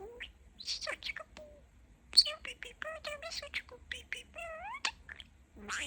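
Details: Indoor chatter from a talking pet parakeet: fast, squeaky imitated words broken by brief pauses, with a wavering whistled phrase near the end.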